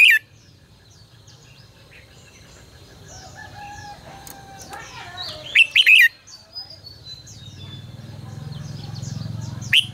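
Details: Red-whiskered bulbul used as a lure and training voice, with one clear quick warbled phrase midway and a short note at the end, among scattered faint chirps and a rising low hum.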